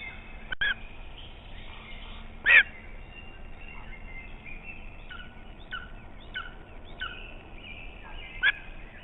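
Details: Lesser spotted eagle at its nest in Estonia, picked up by a nest camera: three loud, harsh, yelping calls spread over about nine seconds, with fainter short chirping calls between them over steady background hiss.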